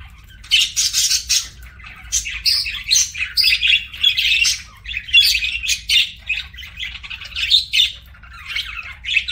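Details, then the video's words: Pet budgerigars, called parakeets, chirping while eating: dense bursts of scratchy, buzzy chatter and squeaky chirps, coming in overlapping waves about every second with brief quieter gaps, no other sounds. "PARAKEET EATING SOUNDS"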